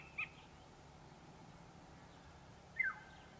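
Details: African hawk-eagle of a nesting pair in the African bush gives two brief, high, thin yelps about two and a half seconds apart, the second sliding downward, over a low steady rumble; eggs laid late in the season.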